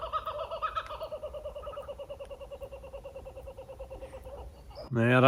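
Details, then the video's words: At dusk in the bush of Kurth Kiln Regional Park, Australia, as it grows dark, a kookaburra gives a long run of rapid, chuckling notes rising and falling in a steady laughing rhythm, then a man's voice breaks in. "I don't know whether you can hear that. That's the kookaburra. He's saying that it's time to go to bed."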